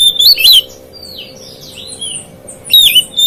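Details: Oriental magpie-robin song meant to stir up rival magpie-robins, opening and closing with loud, sharp, wavering whistles, while faint slurred whistles fill the quiet middle.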